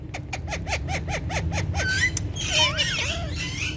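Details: Indian ringneck parakeets, kept as talking pets, giving a run of eight short evenly spaced chirps, then sliding whistles and harsh squawky notes, over a steady low hum.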